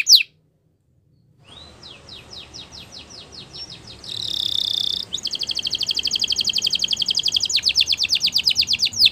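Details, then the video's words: Spanish Timbrado canary song for training: after a short silence, a series of fast sweeping notes, a dense buzzy trill, then a long run of rapid metallic pulses with steady background hiss. "Canary Singing Champion !! Spanish Timbrado Song"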